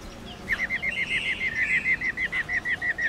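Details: Female black-throated laughingthrush giving a 'ro ro' series to stir males into song: about sixteen short, evenly spaced whistled notes in a steady rolling run, over a faint background hiss.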